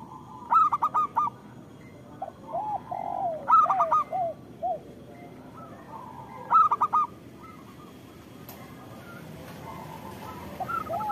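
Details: Local zebra dove song used as a lure for idle zebra doves; short bursts of fast staccato coos every few seconds, separated by softer, lower rolling coos, with a quiet hum between phrases.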